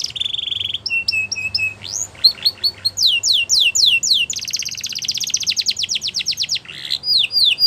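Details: Canary singing in varied tours: a sustained buzzy trill, then clipped whistled notes, then swooping downslurred syllables and a long rapid rattle-like trill, followed by more high whistles.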